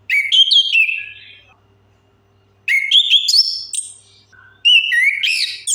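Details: Orange-headed thrush singing, a lure meant to make silent birds sing: loud whistled phrases of sliding and warbled notes, each about a second long, separated by short pauses, with a low hum beneath.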